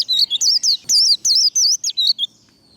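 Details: Caged white-eye singing the fast twittering líu đấu competition style, used in training to fire up birds: rapid high, wavy, slurred whistled notes in quick bursts, about nine phrases in under three seconds, with a quiet background.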